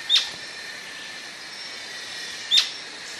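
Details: Two abrupt, piercing high notes spaced about two and a half seconds apart from an Atlantic royal flycatcher, set against constant thin insect buzzing.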